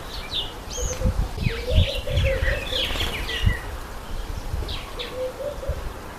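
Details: A Speckled pigeon (Columba guinea) gives low, steady cooing notes in two short runs, with quick high chirps from other birds and soft wing flaps.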